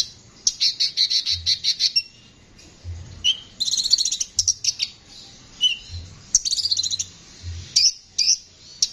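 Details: Konin, a constantly singing bird with a rough voice, used as a training song for songbirds: rapid strings of high chirps, buzzy scratchy trills and brief whistled notes in quick succession.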